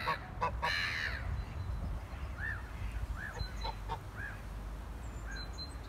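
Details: Black-headed gulls give a burst of harsh, screeching calls, then short, arched, nasal cries every second or so over a steady low rumble; recorded 4 February 2019, gulls bringing noise.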